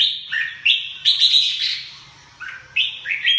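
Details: Red-whiskered bulbul song of clear, rolling whistled notes dipping and rising, delivered in quick bursts with brief pauses between, plus a faint low hum underneath.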